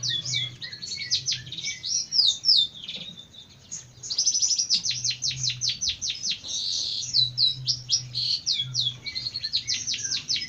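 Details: Jentet bird delivering a long, energetic song of high chirps, sharp downslurs and rapid ticking series, with a short quieter spell before resuming, over a low hum.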